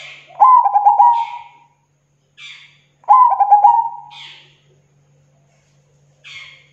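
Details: Zebra dove song offered as a lure for local zebra doves: two loud, rolling cooing phrases about three seconds apart, each a stuttered burst of rapid beats trailing into a drawn coo, with brief higher notes in between.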